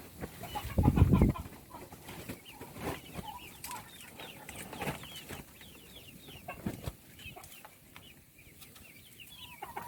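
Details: A flock of chicks at feeding peeps constantly, with many quick high notes falling in pitch, after an early low thud and amid scratching sounds.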